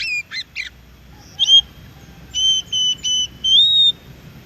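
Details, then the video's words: Oriental magpie-robin singing in the wild, a recording used to train captive birds to answer: a few short buzzy notes, then a run of flat, clear whistles near one pitch, repeated about every third of a second, ending on a longer rising note. "di MASTERI suara KACER di ALAM"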